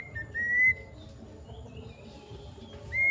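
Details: Plaintive cuckoo in active song giving its long call: a clear, thin whistled note rising slightly in pitch, with fainter, softer whistles afterward and another note beginning at the end, over a low indoor hum.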